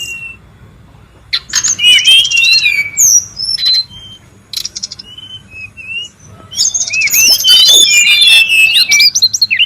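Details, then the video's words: Brown-chested jungle flycatcher, wild and noisy, recorded as a lure and tutor sound: two loud bursts of rapid tangled high whistles and twitters separated by a quieter stretch of scattered short notes. "SUARA PIKAT DAN MASTERAN BURUNG SRDC(sikatan rimba dada coklat) RIBUT DI ALAM LIAR"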